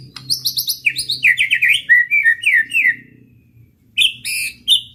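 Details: Singing white-rumped shama used to rile up rival males: rapid bursts of high chirps run into a tumbling sequence of loud descending whistled phrases, then short sharp calls after a brief pause.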